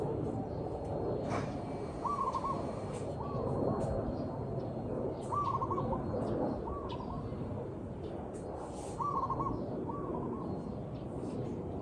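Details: Zebra dove song, captured for real: six soft rolling coos delivered in pairs every few seconds, partly masked by steady rumbling background noise and scattered clicks.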